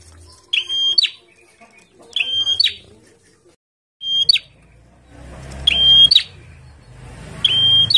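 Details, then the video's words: Bar-winged prinia kept caged in the sun, repeating short shrill whistled phrases with a sharp rising end roughly every one and a half seconds; a hissing, rumbling background noise rises in the second half. "PRENJAK GACOR DIUMBARAN"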